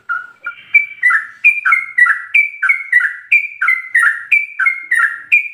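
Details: Sooty-headed bulbul in a full, continuous ropel-style song, used as a master recording for training captive birds: bubbly paired phrases, a lower gurgle then a higher clear note, repeated about once a second without a break.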